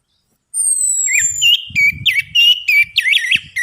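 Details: Orange-headed thrush song played as a lure to stimulate a caged bird to sing; loud, varied whistled phrases with rapid warbling notes and mimicry-like trills, a thin descending whistle at the start, low thumping noise underneath.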